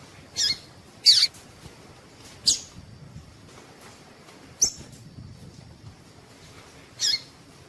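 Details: ['Female double-collared seedeater calling to get males warmed up and singing: short, sharp, very high chips, spaced irregularly, about six in under eight seconds, over a quiet low hum.']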